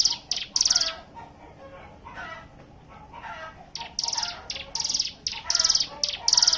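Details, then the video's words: Hill prinia song used as a lure to prompt other birds to sing: bursts of bright, buzzy high notes in quick runs, several closely spaced strokes each, separated by brief pauses, over softer lower chattering in the background. "pancingan ciblek gunung bahan ombyokan"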